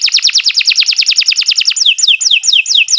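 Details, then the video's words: Canary in full continuous song, meant as tutor material for silent birds: a rapid rattling trill of sharp notes that slows into spaced, downward-slurred whistles about five per second. "Kicau Burung Kenari 156 II LUAR BIASA GACOR PANJANG Cocok untuk Masteran"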